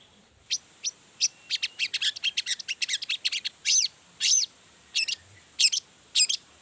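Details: Long-tailed shrike in energetic full song, used to provoke other shrikes into singing: rapid series of sharp, high chirps and clicks, then longer harsh notes and paired shrill calls at irregular intervals, with a faint steady high hiss behind.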